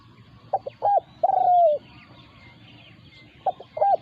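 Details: Spotted dove in a territorial encounter between a decoy and a wild local bird. One complete phrase of short hoots and a long trembling coo, then the next phrase begins after a gap. Faint high chirps are heard in the background.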